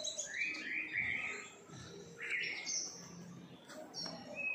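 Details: Several captive-bred siskins twitter together on a Saturday afternoon in high, thin, rapid chirps and short buzzy trills that overlap, with a faint low hum underneath.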